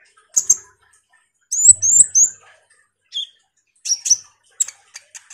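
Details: Common iora lure song for other songbirds: short groups of bright, high, slurred whistles and sharp chips, separated by brief silences.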